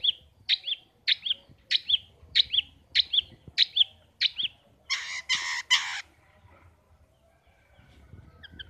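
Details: Pet long-tailed shrike, called pentet or cendet, in a cage and singing vigorously (gacor). It gives spaced doubled chirps, then three harsh rasping bursts, then near silence.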